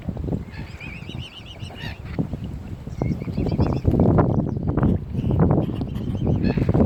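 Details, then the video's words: Mute swan cygnets at Kinnego Bay, Oxford Island Nature Reserve on Lough Neagh, County Armagh, Northern Ireland: thin, wavering high peeps in quick runs near the start. Loud low rumbling and splashing noise takes over later. "MUTE SWAN CYGNETS"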